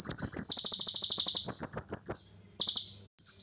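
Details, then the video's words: Kolibri ninja sunbird song used as training material: a quick string of sharp, very high notes forming a chattering trill, then two short high bursts after a gap. "Kolibri ninja materi pedasss"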